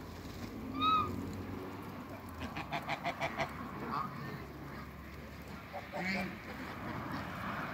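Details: African and Toulouse geese kept as backyard waterbirds on a farm; a short burst of honks near one second, then a run of quick repeated honking calls around three seconds and a lower call near six seconds, over steady low background rumble.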